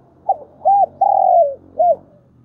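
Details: Decoy spotted dove cooing to call, in thúc bổi style: a short hoot, an arched note, a long coo gently falling, then a rounded closing note, over a low steady hum.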